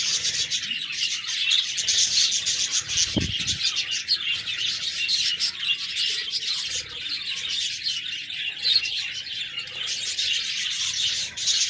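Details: Budgerigars keep up lively chirping and warbling, high and raspy, while a brief low thump sounds early on and the chatter continues without pause.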